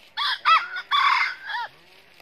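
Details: Red junglefowl rooster crow from a trapping session in northern Vietnam, with a red-eared decoy facing a wild rival of 'cà lắm' voice: two quick opening notes, a long rasping middle section, and a falling final note, about one and a half seconds.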